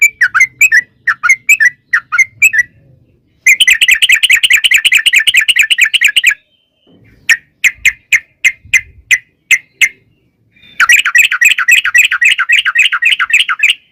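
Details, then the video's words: Sooty-headed bulbul in the long rapid-roll style called ropel panjang, used to provoke birds to sing: bubbly whistled couplets alternating with long dense buzzy trills of very fast repeated notes, separated by short silences. "trucukan gacor NGALAS ROPEL PANJANG"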